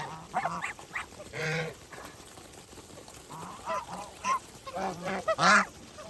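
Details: Feeding farm geese produce intermittent honks, some drawn out and others clipped, with a burst of louder overlapping calls near the end.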